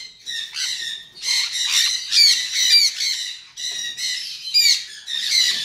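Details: Semi-adult captive-bred Sun conures, males and females about 7 to 14 months old, give harsh, grating squawks in rapid overlapping bursts, loud and shrill, in an aviary in Palakkad.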